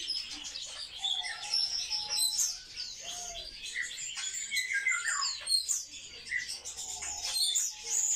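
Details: A flock of kept sparrows chatters in high squawky chirps and twitters, with short steady whistled tones mixed among the falling notes.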